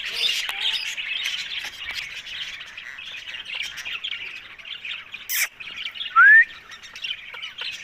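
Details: Ringneck parrot heard while eating, giving harsh mid-pitched chattering and scratchy squawks throughout, with a few sharp clicks and one short clear rising whistle near the end.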